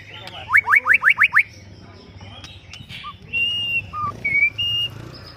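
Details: Oriental magpie-robin song at a songbird contest opens with a fast run of six sharp rising sweeps, then a pause and several pure whistled notes at different pitches, over low background rumble.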